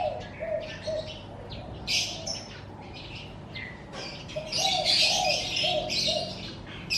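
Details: Birds chirping in the morning in front of a house, a mix of short high twittering bursts and scattered chirps with a lower repeated note underneath, several callers overlapping.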